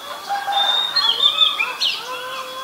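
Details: Oriental magpie-robin, a very common resident, recorded at Ubon Ratchathani, Thailand on 7 January 2021; clear high whistled notes with slurred, wavering phrases over a bed of lower background birdsong.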